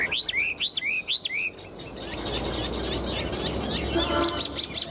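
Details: A tame caged Chinese hwamei, clinging to the cage bars and showing off wings and tail, gives a run of clear rising-and-falling whistled notes in its first second and a half, then a broad rushing noise takes over.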